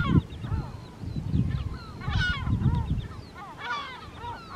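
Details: Pair of lesser black-backed gulls near their breeding colony on Rottumerplaat, Groningen, the Netherlands, 3 June 2023: nasal, downward-bending calls in repeated bursts, with low rumbling wind noise throughout.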